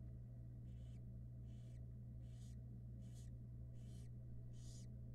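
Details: Barn owl at a Florida nest box in 2022, where a female takes a short break from brooding her six young. Six harsh, broadband hissing bursts come at a steady rhythm, one roughly every 0.8 seconds, over a constant low electrical hum.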